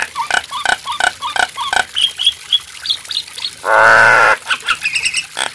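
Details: Nias hill myna singing: a series of short clipped whistles and clicky notes at a steady pace, broken by a loud harsh rasping burst lasting under a second, then more quick chattering notes.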